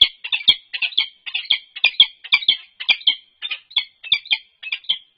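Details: Peregrine falcons at a nest box on the UC Berkeley campus, 3 November 2021: an unknown male interacts with the resident female from atop the box. Nest-camera recording. Rapid harsh, grating notes, roughly two per second, in a continuous chattering run.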